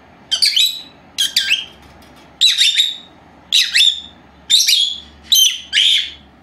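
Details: Pair of young female lovebirds, four months old, kept at home and napping, utter seven shrill squeaky chirps about once a second, some doubled, in a quiet indoor room.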